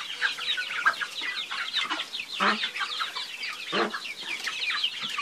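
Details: Chickens chattering together: many quick, high, slurred peeps fill the background while two or three louder, lower clucks stand out at intervals.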